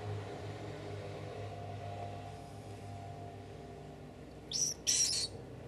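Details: Hand-reared house sparrow chick, found on a street at about two to three days old, its right leg once paralysed. Two short, high chirps come close together near the end over a steady low hum.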